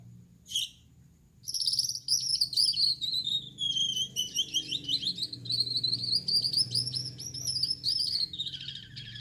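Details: Male Gouldian finch with yellow back, red head and white chest sings vigorously at night: one sharp scratchy note, a pause, then a long run of reedy, buzzing, wavering trills lasting seven seconds over low hum.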